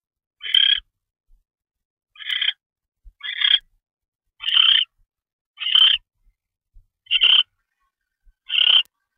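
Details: Barn owl at its nest late on 25 February 2013 while a mouse arrives. Seven clipped, hoarse, hissing rasps come at uneven intervals of about one to one and a half seconds.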